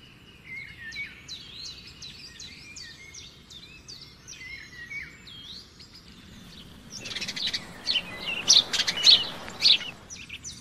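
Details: Nightingale song near a river among trees: rapidly repeated, sliding whistled notes for several seconds, then a louder stretch of sharp piercing notes and chatter, with soft rushing water underneath.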